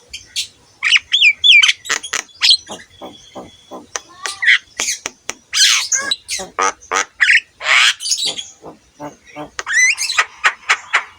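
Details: Javan myna in full, continuous song, used as a training recording for other mynas: a fast string of sharp clicks and harsh squawks with twisting whistled notes at the start and near the end.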